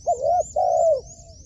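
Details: Decoy spotted dove being trained on a roof gives two drawn-out, smooth, mellow coos. The first has a brief lead-in note and the second fades away at the end. Faint high twittering plays behind.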